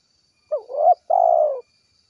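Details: A single 'kuk 1' gacor phrase from a spotted dove calling its companions: a rising lead note, a quavering middle coo, then a sustained low rolling coo. It lasts just over a second, with near silence around it.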